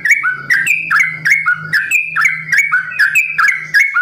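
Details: Sooty-headed bulbul (Pycnonotus aurigaster) singing long, varied song with quick, liquid, bubbling phrases about twice a second over a steady low hum.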